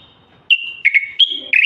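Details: Moroccan common bulbul singing continuously, a song meant to stimulate males to sing and ready females for mating and nest building; clear whistled notes, a short steady whistle followed by four quick slurred phrases, with silence between them.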